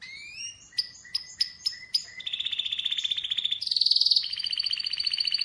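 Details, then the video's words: Atlantic canary song opening with a rising whistle and spaced sharp chips, then a steady pulsed trill, a loud buzzy burst and a sustained double-toned roll. "Atlantic Canary sings in an amazing voice"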